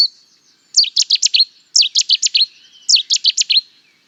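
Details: Cetti's warbler song: three explosive staccato bursts about a second apart, each a rapid run of five or six sharp, high, downward-flicking notes, with silence between.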